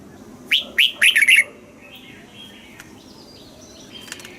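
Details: Caged Red-whiskered bulbul in Thailand, southern master-style song for exciting caged birds and teaching young ones: a single brisk phrase of six bright chirped notes, then quiet.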